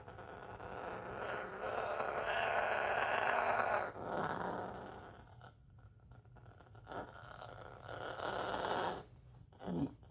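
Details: A female pet parrot, eyes pinning, growls in harsh, raspy, throaty bursts, one long run then a shorter one, showing fear of a newly bought mini vacuum as she does with anything new; a person speaks briefly.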